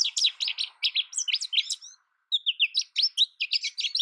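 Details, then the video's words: Rapid, varied twittering from an American goldfinch: a long tumbling string of high chips and slurs, a brief pause, then another lively burst. "American goldfinch Bird Sound, Bird Song, Bird Call Bird Calling Chirps"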